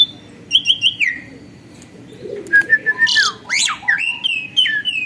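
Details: Captive starling that became tame and songful: a few short whistles and a falling note, a pause, then a harsh burst, squeaky slurred whistles and a drawn-out level whistle.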